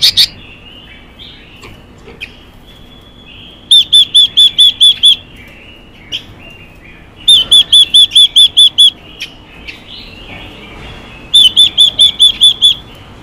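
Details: Female Chinese hwamei calling to urge males into song: three separate bursts of about seven bright, identical high notes in quick succession, spaced several seconds apart, with faint chirps between.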